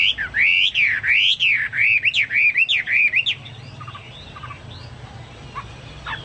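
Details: Chinese hwamei in full song resembling cucak Papua or cucak mas. Loud, rising-and-falling whistles are repeated rhythmically for three seconds, then fade into faint scattered notes.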